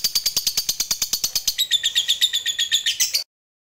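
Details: Lovebird in long ngekek chatter, a lure to make other lovebirds sing: rapid, even, high-pitched clipped notes that run together into a harsher, denser rattle before stopping abruptly after about three seconds.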